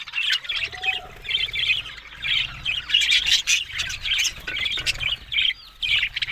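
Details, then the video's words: Talking budgies from Australia give choppy bursts of buzzy chatter and squawks, each lasting about half a second, separated by short pauses, over a soft low hum. "Beautiful Talking Budgies Australian Parrot Sounds"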